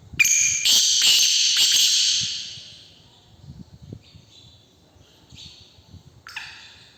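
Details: Captive black francolin filmed in May 2022 gives a loud, harsh, grating phrase of several rasping notes lasting about two seconds, followed by fainter short notes and a brief final burst.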